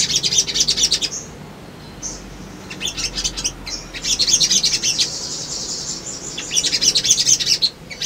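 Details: Lure song of a male Crimson Sunbird (sogon), meant to trigger rival-seeking. Dense high trilled twittering runs alternate with short quiet stretches and an isolated whistled note.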